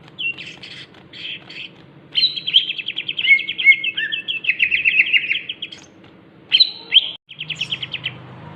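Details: Greater green leafbird (cucak ijo) giving crewet chattering song: short bursts of rapid, buzzy repeated notes, then a long fast trilled run with a lower slurred note inside, more chattering bursts near the end, over a steady low hum.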